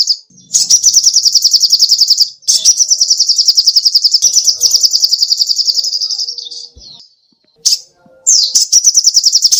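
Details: Lively sogoh ontong songbird singing for cage birds to imitate: extended high pulsing trills lasting several seconds, one fading away, then a short pause and a sharp upslurred note before the trill resumes.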